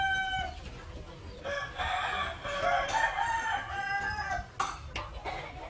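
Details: A village rooster in Bali, Indonesia, gives a long, harsh, rasping crow that rises, holds, and falls away at the end.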